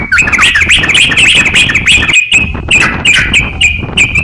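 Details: Energetic crocok-cokan singing, recorded as a master for training songbirds; rapid, bouncy chirp phrases repeat in quick succession, broken by one short silence midway.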